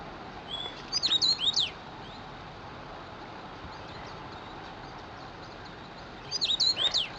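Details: Common rosefinch (Carpodacus erythrinus) delivering two brief whistled phrases about five seconds apart, each a quick cluster of slurred, sweeping notes, with a broad background rush throughout.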